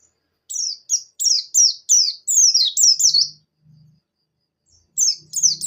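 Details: Javan white-eye (pleci buxtoni) song used to stimulate a quiet bird: series of sharp descending high chirps, roughly three per second, a pause with a faint low buzz, then chirps resume.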